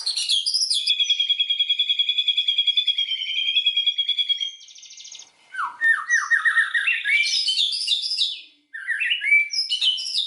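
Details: White-rumped shama lure song meant to rouse rivals into full song: a long, steady pulsed trill for about four seconds, then stepped descending whistled phrases and bright chirps.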